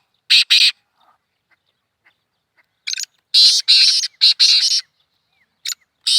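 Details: Kala teetar, the black francolin, in a hunting setting: rough, scraping notes, two quick opening bursts, then a louder grating run of five notes in about one and a half seconds, with faint ticks between.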